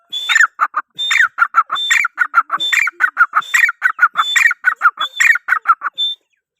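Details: Grey francolin, locally called teetar, giving a loud rhythmic series of harsh, clipped notes in quick succession, with a brief high whistled note inserted roughly every second, ending on a single high whistle.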